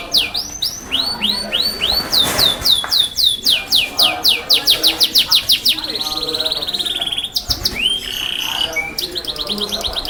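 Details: Yorkshire canary singing loudly, a long varied song of fast repeated descending whistled notes, a sustained rattling trill, and rapid high chirp series, with faint voices in the background.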